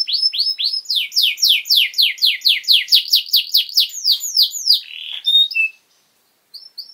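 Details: A canary delivers training song for young birds, a steady run of loud downward-slurred notes about three per second, closing with a short whistle before silence.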